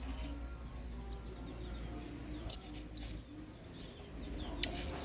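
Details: Lively blue-crowned hanging parrot song meant for tutoring other cage birds: scattered piercing high squeaks and chattering bursts, irregularly spaced across a few seconds, over a faint low hum.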